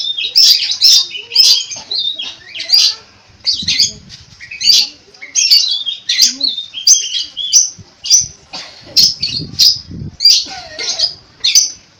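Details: Long-tailed shrike in full song, rhythmic bursts of high chirps, whistles and harsh notes repeated about once a second, imitating other birds.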